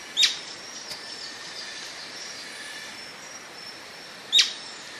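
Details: Atlantic royal flycatcher singing: two sharp, short high notes about four seconds apart, with a steady high hiss of insects behind them.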